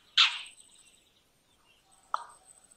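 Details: Indian roller, Coracias benghalensis, giving a loud harsh rasping squawk, then a shorter lower croak after a pause of nearly two seconds.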